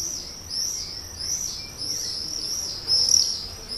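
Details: Nesting common swift luring a partner into a brown terracotta pot under a terrace roof, Leuven, Belgium, May 2016; continuous high wavering trill, louder near the end.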